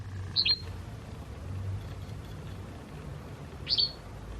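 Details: White wagtail, part of a pair as spring approaches: two short high double chirps, one at the start and another about three seconds later, with steady low background rumble.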